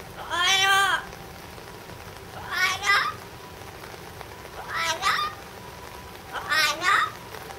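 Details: A yellow-naped amazon at Higashiyama Zoo, July 2011, gives four loud, harsh, voice-like "waaah" shouts, roughly every two seconds, over a steady background hiss.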